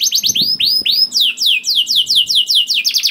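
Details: Canary song to encourage other canaries to sing: looping rising whistles, then a string of falling slurred notes about three per second, and quick chirps at the end.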